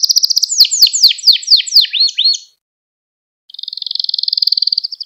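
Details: Gloster canary, singing to excite fellow canaries: a fast chirping series followed by sweeping looped notes, a pause, then a smooth steady high trill.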